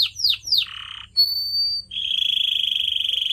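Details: Singing canary for training pet birds: three quick falling sweeps, a buzzy trill, a thin high whistle, then a long rapidly pulsed whistled tone.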